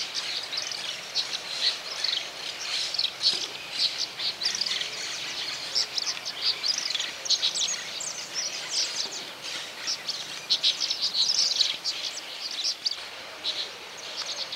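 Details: Brown-chested martins (Progne tapera) in Santa Fe, Argentina, 2023, give a steady stream of high, chattering chirps and gurgling twitters, several birds overlapping, with a faint background hiss.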